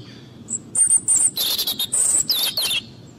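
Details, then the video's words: European robin song: a rapid series of high, thin whistles and tumbling descending trills, delivered in quick bursts over faint background noise. "Canto Robin"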